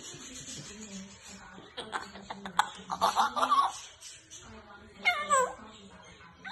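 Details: Pet African grey parrot talking at home: a run of speech-like chattering phrases in the middle, then a short, slurred whistle near the end, over a steady low background hum.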